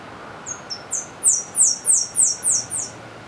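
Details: Saffron-billed sparrow (Arremon flavirostris) song, in Brazilian forest interior: two thin, very high introductory notes, then five louder, sharply downslurred sibilant notes at about three per second.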